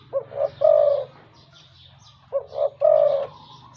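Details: Wild-caught spotted dove kept as a deep-voiced decoy bird, giving two coo phrases, each of two short soft notes and then a longer, louder, slightly falling coo. The room is otherwise quiet.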